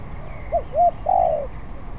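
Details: Spotted dove in practice, delivering one song phrase of a short coo, a second rounded coo, and a long, steady final coo, in quiet surroundings.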